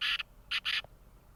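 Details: A black francolin (Francolinus francolinus), called kala tetar, possibly a kept Sindhi-strain bird, gives three harsh, grating notes in quick succession, the last two close together, over a faint low background hum.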